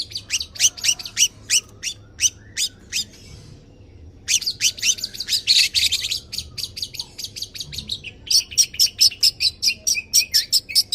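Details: Tame long-tailed shrike (cendet), a champion bird singing in full 'isian nembak' style to prompt and tutor other birds: bursts of sharp chirps, a brief pause, a dense loud flurry, then fast, evenly spaced clicking notes.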